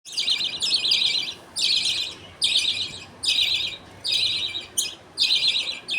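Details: Budgerigars in a happy colony at feeding time on 18 January: the father feeds millet paste to two chicks as the mother watches and others wait. Harsh, raspy chattering bursts come about once a second, with short gaps of quiet.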